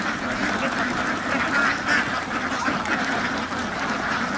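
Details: Ducks housed on a farm, dense chorus of nasal quacks overlapping without a break, a short thin whistle-like note heard near the middle.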